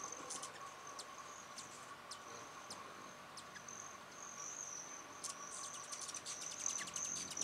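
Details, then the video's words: Hummingbirds at mealtime in New Mexico give sharp, high chips, scattered then quickening into rapid ticking chatter, over a steady high insect-like hum and low drone. "Hummingbird Sounds"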